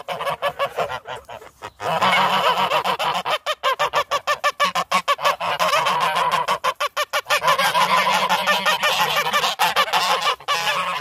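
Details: Several geese honk loudly and nonstop, harsh nasal calls overlapping in a dense, rapid chorus that barely pauses for eleven seconds.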